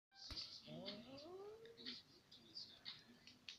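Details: African grey parrot at sleep time, peeking through a chewed hole in its cage cover, gives several rising and falling whistled, voice-like notes with scattered high clicks from a ticking clock indoors.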